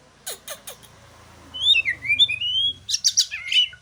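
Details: Aceh white-rumped shama song: a few sharp clicking notes, then a long sliding whistled phrase dropping and rising, and finally a quick tumble of high chirpy notes, all over a soft low drone.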